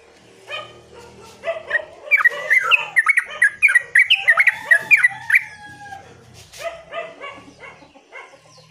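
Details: Yellow-vented bulbul (terucuk) in energetic 'gacor' singing: a rapid run of short, bright chirping notes repeated about three times a second, with a low buzzy background hum and fainter notes at the start and end.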